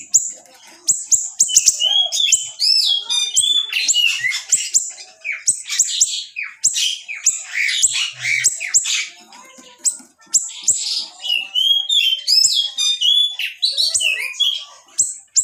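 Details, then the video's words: Long burst of energetic song from a small siri-siri, meant as training material for other songbirds: dense, sharp high chirps, rattles and slurred whistles in runs lasting several seconds with brief pauses. "masteran siri" kecil super gacor tembakan rapat & tajam"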